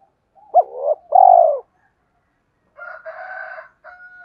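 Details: A spotted dove's provoking call: a quick hooked note and a long, low, falling coo. About a second later comes a buzzier, harsher, banded call, then a short fainter tone.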